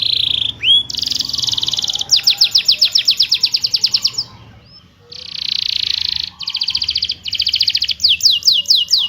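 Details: Energetic canary song meant to prompt lazy canaries to sing: bursts of rapid chirping rolls and buzzy trills, separated by a short pause, ending in a series of sweeping chirps.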